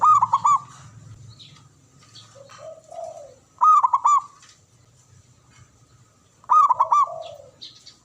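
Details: Local Javanese zebra dove, a male, cooing three times: each bout a rapid string of four or five bubbling, hooked notes, with softer lower warbles between bouts and a faint low hum at the start.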